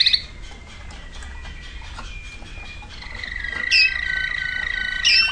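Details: Waterslager canary, 2009 recording: soft rolling notes at first, then a sustained steady tone with two sharp bright bursts near the end.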